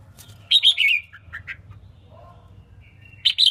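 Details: Female red-whiskered bulbul, kept to excite males, gives a short run of bright slurred chirps, a few lower soft notes, then another quick bright phrase at the end, with a faint low hum throughout.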